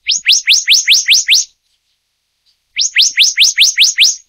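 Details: Black-naped monarch of the subspecies oberholseri, endemic to Taiwan, giving two bursts of about seven fast, sharply rising whistled notes each, separated by a silent gap of over a second.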